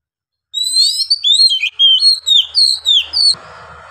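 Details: Kacer, the Oriental magpie-robin, singing a long ngeplong phrase; a continuous string of loud, clear, high whistles, some rising, most slurring down, in quick succession, ending over soft background hiss.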